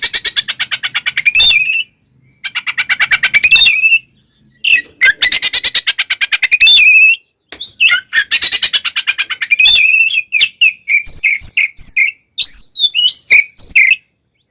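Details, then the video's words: Oriental magpie-robin singing a fighting song meant to provoke and agitate other magpie-robins: long trains of rapid, harsh buzzy pulses broken by short gaps, then sharp rising whistles and chattering notes toward the end. "SUARA BURUNG kacer gacor TARUNG konslet"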